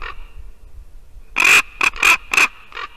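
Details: Ravens visiting a white-tailed eagle nest in Latvia, calling to the female eagle on the nest: a burst of loud, harsh, grating croaks in quick succession, with a faint steady background hum.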